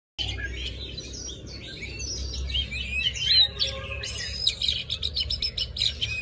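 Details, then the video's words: Oriental magpie-robin singing in wild forest voice, recorded for luring and training young birds: dense, varied run of high whistles, slurred notes and rapid chirps, growing busier toward the end, over a low steady rumble. "Chòe than hót giọng rừng cực phê"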